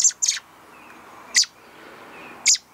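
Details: A hand-reared young American robin nestling, nearly ready to fledge, gives short, high, sharp begging chirps while being fed, a quick double burst then single chirps about a second apart, in a quiet setting.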